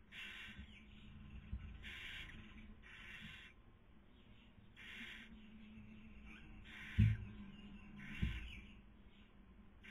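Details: Barn owl nest in Cabañeros National Park, Castilla-La Mancha, Spain, 2020 breeding season, female feeding and male trying to sleep; intermittent rasping hisses, some strong and short, others softer, with two sharp knocks late on.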